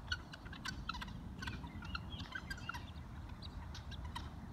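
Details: Helmeted guineafowl catching insects in a ranch's east field, giving harsh, rapid chattering calls over a low rumbling background.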